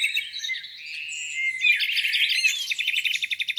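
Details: Birds singing beside a lake in spring morning light: thin whistles and twitters building into a dense jumble, finishing with a fast even rattle of repeated notes.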